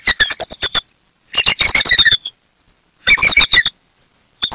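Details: Alarm calls of bald eagles defending a Berry College nest and eaglets from an intruder on a Saturday morning, female joining the male; three bursts of fast, squealing, chittering piping notes, each about a second long.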